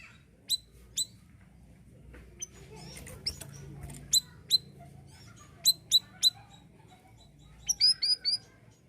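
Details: Siri-siri bird from Indonesia, singing actively, used as a master recording for tutoring other songbirds: sharp, very high thin chirps with ringing overtones, given singly or in quick pairs and a short burst near the end, over a low background hum.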